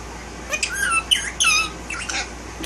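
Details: Male Indian ringneck parakeet kept as a pet indoors, talking: a string of short, squawky, harmonic syllables with sliding, bending pitch, in bursts over about two seconds, in a quiet room.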